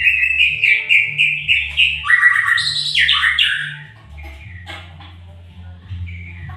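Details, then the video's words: White-rumped shama singing, played to encourage other shamas to sing often: a run of repeated whistled notes about three per second, then buzzy descending phrases, fading into softer chirps over a low hum. "biar murai rajin bunyi"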